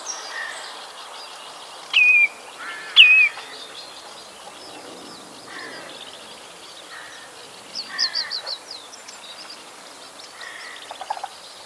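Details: Common redshank (Tringa totanus) flying by its nest on a loch island near Kirriemuir, giving two loud, downslurred whistled calls a second apart, followed by fainter chattering notes from other birds in the background.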